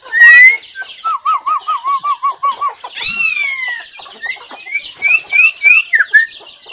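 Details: White-rumped shama song recorded 17 April 2024: a bright whistle, then a steady rolling warbled trill of about a dozen notes, followed by sweeping notes and a series of rising chirps.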